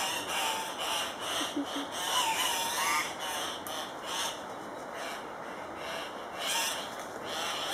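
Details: At Paz de las Aves in Ecuador, Andean cock-of-the-rock calling at a lek: a rapid, irregular series of rough, noisy squawks, several per second, over constant high-pitched insect buzzing and faint whistles.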